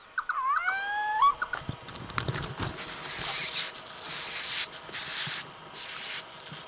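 Little owl: a brief wavering, whistled mew, then four harsh, rasping hisses, each about half a second long, coming just under once a second.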